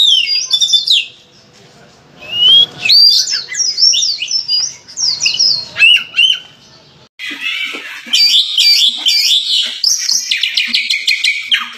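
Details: Oriental magpie-robin (kacer) pouring out insistent song full of fill-in phrases: tangled chirps and whistled slurs, then after a pause a dense, harsh, buzzy stretch of rapid scratchy notes, used to prompt other magpie-robins to sing.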